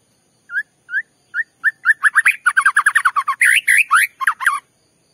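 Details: White-rumped shama song used to provoke another shama into singing: a series of clear rising whistled notes that speeds up into a rapid run of varied, slurred phrases with sharp high ticks.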